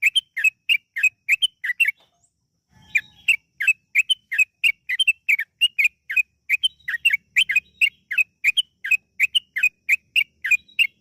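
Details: Steady bubbly song of a yellow-vented bulbul, used as a lure to get birds singing: quick repeated liquid notes, a short break with a faint low hum, then an even faster run of chirps.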